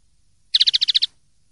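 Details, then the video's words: Common linnet singing a clean ('limpio') song as prized in Spanish silvestrismo: a single brisk trill of about eight evenly spaced, high, bright notes lasting half a second, with a quiet background. "PARDILLO LIMPIO"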